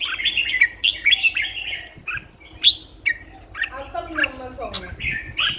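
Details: Red-whiskered bulbul kept for song competitions, singing energetically: a string of sharp whistled and warbled phrases, with a lower, harmonic, voice-like sound briefly overlapping near the end.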